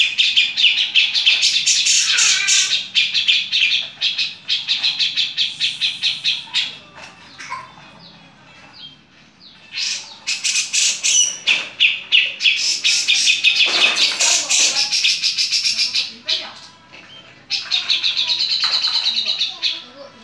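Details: Grey-cheeked bulbul (Alophoixus bres), harsh chatter.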